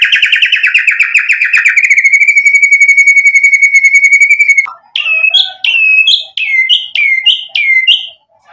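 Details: White-rumped shama song used to provoke a reply: a rapid buzzy trill settling into a long steady pulsing tone, then a series of sharp, repeated downslurred whistles.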